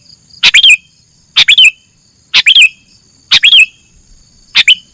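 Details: Lure recording of a sooty-headed bulbul: five loud clipped phrases, each a rapid stutter of notes closing with a curling, falling whistle, spaced about a second apart over a steady high hum.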